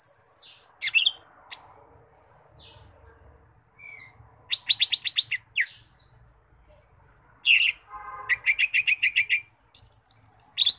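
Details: Lesser green leafbird singing actively in its characteristic voice: bursts of sharp, high whistles and rapid chattering trills, with runs of quick repeated notes separated by short pauses and a faint low background murmur.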